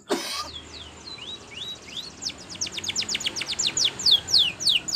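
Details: Spanish Timbrado canary singing as training material: after a short burst of noise, soft rising whistles build into a quicker series of sharp falling notes, with a hissy background.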